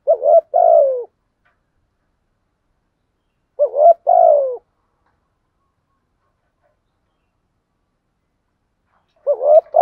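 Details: Decoy spotted dove coaxing wild doves to coo, calling sparsely: three low two-part coos, each a quavering note followed by a longer falling coo, spaced several seconds apart with quiet between.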